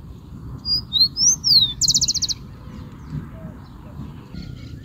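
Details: Rufous-collared sparrow song: clear rising and falling whistled notes followed by a short, fast, buzzy trill, with a constant low background rumble.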